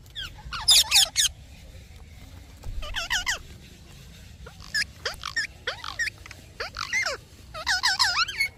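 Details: Parrot chirping in short bursts of bent, whistled notes, some rising and some falling, given in clusters separated by brief pauses over a low background hum.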